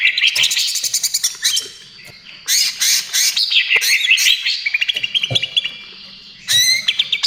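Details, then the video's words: Vigorously singing greater green leafbird, meant to provoke and train other birds: rapid chattering trills, loud bursts of buzzy rattles and bright whistled phrases, very energetic and varied. "SUARA CUCAK IJO TROTOL GACOR, AMPUH UNTUK PANCINGAN DAN TERAPI"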